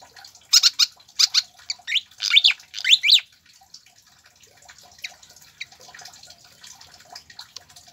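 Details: Pied fantail song used as a lure and tutor recording to get captive birds singing quickly: bursts of high, clustered chirps and short rising whistles in the first three seconds, then faint scattered twitters.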